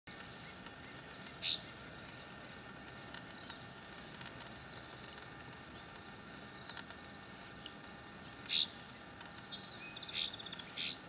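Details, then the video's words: A juvenile Northern Rough-winged Swallow gives short, rough, buzzy notes spaced a few seconds apart, calling from a branch over the Russian River to parents flying nearby, over the hiss of rushing water. Recorded at Monte Rio, California, 25 June 2020. "Northern Rough-winged Swallow fledgling calling"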